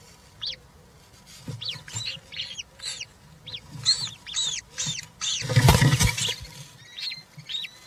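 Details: At a European roller nest with three young, 20 June 2023, chicks being fed give scattered high, arching squeaks, broken midway by a loud rustling thump of movement in the nest.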